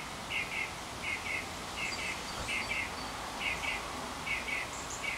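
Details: Northern mockingbird singing a long cycle near a porch; a short double phrase repeated about every second, fairly faint against steady breezy background noise, with a few high thin notes.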